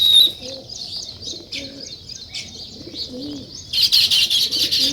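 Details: A busy morning chorus of sparrows at a village nest site gives high, rapid overlapping chirps that swell louder near the end, with faint low cooing underneath.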